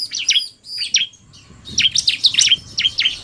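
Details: Male and female bar-winged prinias combined, male in full song and female calling fast: quick high chirped and swept notes in clusters, a short pause, then a rapid run of repeated chirps.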